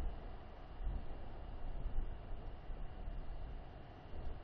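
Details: A deep, continuous rumble like wind buffeting or a distant engine dominates the recording, and no animal sound is heard.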